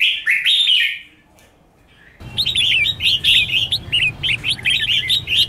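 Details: Red-whiskered bulbul competitive singing for training: a bright warbled phrase, about a second of near silence, then a hurried series of short, lilting whistled notes with a low humming background.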